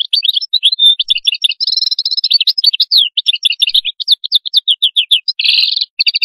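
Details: Atlantic canary pouring out qadous song: rapid high chirps and whistles, a smooth rolling trill, then a run of descending slurred notes and a harsher buzzy burst near the end. The song is loud and continuous.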